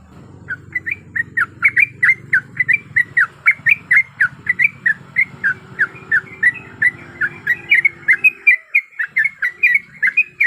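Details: Female sooty-headed bulbul, in breeding condition, calling a male as a lure: long unbroken chain of rapid, slurred chirps, several per second, with a low rumbling hum beneath most of the run.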